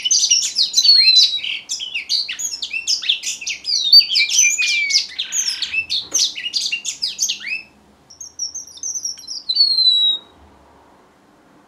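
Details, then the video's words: Strawberry finch singing a long, busy run of thin high chirps and short whistles, several sliding downward, for about seven seconds, then a pause and a final bright descending whistled phrase. "BENGALI ROJO - STRAWBERRY FINCH SINGING"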